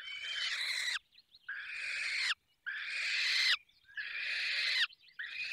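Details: At a falcon nest in the Barycz Valley, feeding time brings hoarse, drawn-out screeches that swell in loudness and cut off abruptly. They repeat about every one to one and a half seconds, with soft chirps in the gaps.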